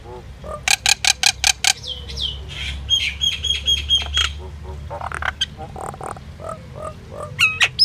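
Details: Common myna, also called Indian myna, singing: a run of sharp repeated clicks, then whistled notes, squeaky chatter and gurgling phrases, ending with rising whistles; a low hum underneath.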